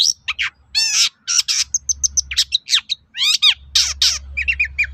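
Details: Long-tailed shrike singing a jumbled medley of squeaky whistles, rasping notes, descending slurs and short chips in quick succession, used to lure other shrikes into responding. Low background hum.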